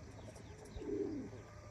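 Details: At a pigeon loft in the morning, a pigeon gives a single soft, low coo lasting about half a second, wavering slightly as it falls, over a faint steady background hum.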